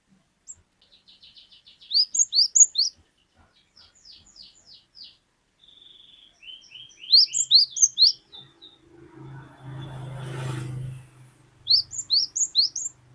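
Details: Cinereous tit, known locally as glatik batu, singing a long 'wucit wucit' song: quick groups of high, upward-slurred whistles, each burst about a second long and repeated after short gaps, with softer twittering between and a brief rustling noise midway.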